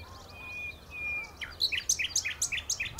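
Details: Common nightingale at the Horsmeertjes, Texel, opening with two drawn-out pure whistles, then bursting into a series of loud, sharp, evenly repeated chipping notes, over faint low background rumble.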